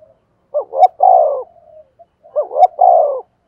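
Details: Decoy spotted dove from Vietnam, 'giọng thổ' style, delivering two identical phrases: a rough soft intro, paired hooked notes and a long downslurred coo, with no other sounds.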